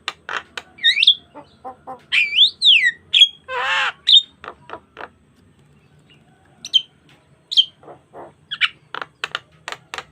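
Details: Lively Javan myna performing a richly varied song meant to coax other starlings into singing; swooping up-and-down whistles, clicks, a rough churring burst in the middle, then a quiet gap before scattered whistles and staccato chips.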